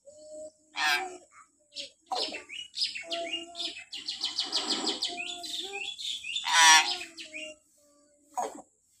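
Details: Common hill myna calling in the morning, played to train captive mynas. Varied chirps, short squawks and harsh bursts follow one another irregularly, with a steady faint high hiss throughout.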